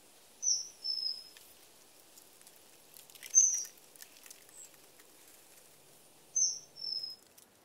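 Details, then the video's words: Common kingfisher sounds for luring the bird: brief, piercing high whistles in pairs, coming every few seconds against faint natural background noise. "The song of the Kingfisher"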